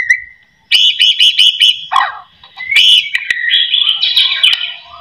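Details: White-rumped shama song used as a lure to get caged shamas singing: one thin whistle, then a quick run of sharp chipping notes and harsh buzzy phrases.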